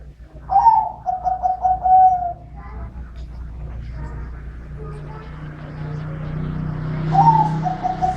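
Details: A dove sings in the middle-voice style: a pulsed cooing phrase drifting slightly downward over two seconds, then a steady low hum, and a second phrase begins near the end.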